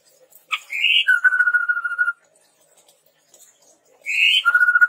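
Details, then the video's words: Red-rumped tepus song for luring and tutoring caged birds: a rising whistled note followed by a long, even rapid trill, the pattern repeated after a pause. "SUARA PANCINGAN BURUNG TEPUS TUNGGIR MERAH GACOR COCOK UNTUK MASTERAN"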